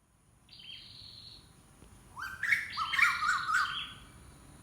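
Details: Unidentified bird calling: a faint, thin whistled note first, then a loud cluster of overlapping rising whistles with clear harmonics, quickly repeated, before fading out. Low background hiss throughout.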